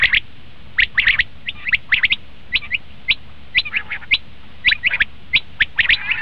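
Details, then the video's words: Common quail calls used for hunting, a steady stream of short sharp chirps, single or paired, spaced unevenly over six seconds. "batair ki awaz"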